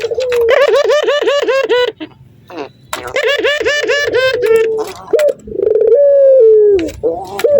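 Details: Male Barbary dove, breeding and excited at the sight of a female, giving two long bursts of fast, bubbling, rolling laughter. Shorter notes and a smooth, slowly falling coo follow, all low and mellow.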